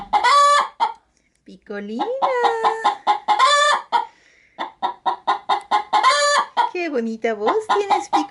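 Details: Egg-laying pet hen settled in a chicken-feed bag cackles as someone comes near: bursts of quick clucks swelling into loud harsh squawks, with a lower sliding moan between them, repeated several times.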